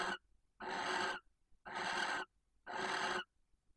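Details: Female barn owl at a nest box in Cabañeros National Park, Spain, calling intensely for the male before mating; long raspy hissing screeches, each about half a second, repeated roughly once a second.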